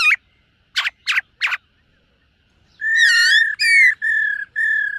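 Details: Morning voice-training song of a silver-eared laughingthrush: sharp sweeping chirps open, then after a silence a rich warbled whistle gives way to a series of long, level, clear whistled notes.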